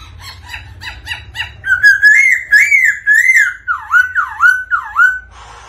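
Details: White-cheeked laughingthrush, prompted by a female's 'ro ro' call, opens with evenly spaced short chattering notes, then sings a series of rising whistles and swooping dipped phrases, each about half a second.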